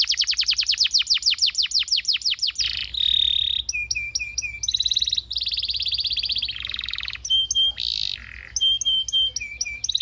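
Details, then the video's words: Canary performing a long tutor song for training young canaries: fast repeated downward sweeps, then alternating buzzy rolls, ringing metallic notes and clear whistled phrases with short gaps. "PANCINGAN KENARI GACOR DURASI DURASI PANJANG UNTUK MASTERAN KENARI PAUD BELAJAR BUNYI DAN GACOR"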